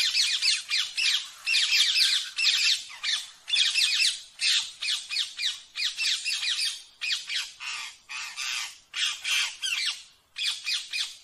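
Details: Rose-ringed parakeet giving a run of harsh, scratchy squawks and chatters in quick bursts, about two each second, high-pitched with brief gaps.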